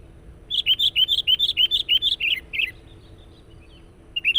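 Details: Sooty-headed bulbul singing insistently to lure wild birds: about a dozen evenly spaced bright chirps, roughly three per second, ending in two slurred notes, then near silence before a final chirp.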